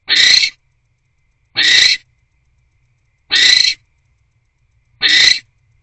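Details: Barn owls in a nest box at night in January 2024, the male bringing a small rodent and the pair mating. Four brief, breathy rasping hisses recur about every 1.6 seconds over a silent background.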